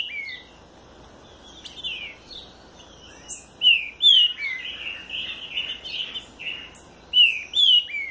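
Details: Green-winged saltator of the southern type, singing a run of clear whistled phrases. Slurred notes rise and fall and repeat at irregular intervals, with some higher, sharper notes between them against a quiet background.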